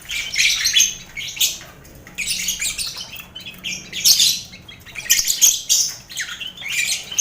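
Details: Caged lovebirds in a busy colony aviary shared with finches and quail, kept as mental training for contest birds: harsh, high chattering squawks in dense bursts, with brief quieter gaps between flurries.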